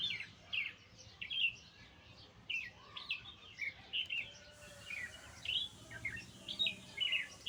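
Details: Nightingale keeping up a steady run of sharp, high chirping notes, about two each second, some doubled or slurred, against a light hiss of background noise.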